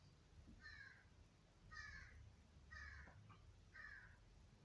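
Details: Crow calling outdoors: four hoarse, harsh caws spaced about one second apart, each a short flat burst, over low rumbling background noise.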